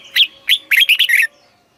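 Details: Caged red-whiskered bulbul teaching song in the southern Thai master style, from Thailand: two rising whistled notes followed by a rapid run of four rich, bubbling syllables, clear and loud against a quiet background.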